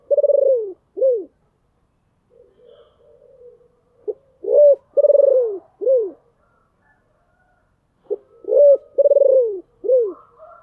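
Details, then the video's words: Deep-voiced captive decoy spotted dove calling to attract wild birds: three-part cooing phrases, each a short coo, a long tremulous rolling coo and a clipped falling note, repeated about every four seconds with faint background sounds between. "tiếng kêu của chim cu gáy âm thanh rất chuẩn để kích bổi/ Tiếng Chim Cu Mồi Gáy Gọi Ồm Ồm"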